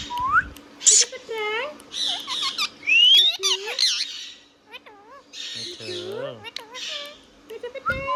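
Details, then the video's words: Pet Indian ringneck parrot chattering indoors: rapid harmonic syllables, rising whistles, screechy bursts and wavering modulated notes running almost continuously. "Ringneck Parrot Talking Sound video | Indian Ringneck parrot natural sound"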